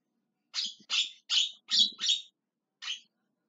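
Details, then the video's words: Javan myna calling out with five loud, hoarse squawks at an even pace, a short gap, then one final softer rasp. "JALAK KEBO TERIAK TERIAK MEMANGGIL"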